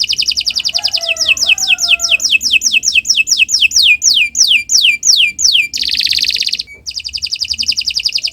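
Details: Canary singing long and energetically as a model song for other birds: fast high trill, a run of descending swept whistles, a loud buzzy burst, then renewed trilling.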